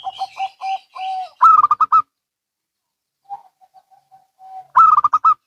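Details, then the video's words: Local and Bangkok zebra doves calling back and forth: lower pulsed coos ending in a drawn-out note, then a loud quick burst of staccato high coos, a pause with faint soft notes, and another bright rapid burst. "Perkutut Lokal & Bangkok Bunyi Saling Bersahutan"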